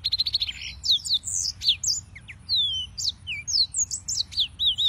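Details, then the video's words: Yellow-fronted canaries (Serinus mozambicus) singing: a fast stuttering trill of repeated notes opens, followed by varied high whistled slurs and sweeps in quick succession. Soft hum underneath. "(Serinus Mozambicus) White-tipped Green Singers Singing"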